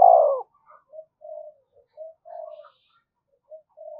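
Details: Spotted dove calling in the thúc gù style used to provoke wild doves: a loud descending coo tail opens, followed by scattered soft, low cooing notes at a distance.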